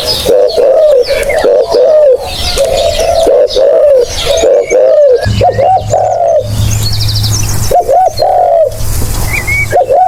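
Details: Spotted dove cooing, used as a lure: loud, low, hollow coos repeated in a dense overlapping series, with chirps and twitters of other small birds above and a steady low rumble in the background.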